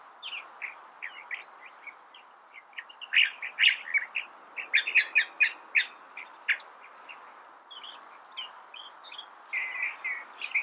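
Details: Long, rambling California thrasher song: soft chirps building to a dense run of sharp, emphatic notes, then fading to scratchy, burry phrases, over faint background hiss.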